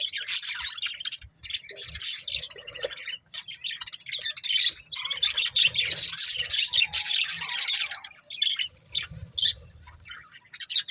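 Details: Two breeding budgerigars producing long stretches of dense, buzzy, high warbling chatter, nearly unbroken for several seconds, then shorter scratchy bursts toward the end.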